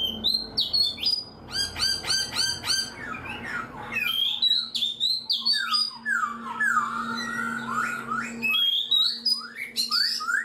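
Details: Caged black-throated laughingthrush of four months singing rapid bursts of high stacked notes, then sweeping slurred whistles and varied phrases, with a low constant hum behind.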